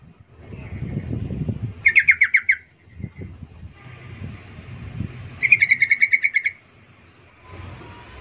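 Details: Sooty-headed bulbul call meant to make other bulbuls answer: two short bursts of rapid, bubbling chattered notes about a second long, separated by quiet stretches with low rumbling background noise.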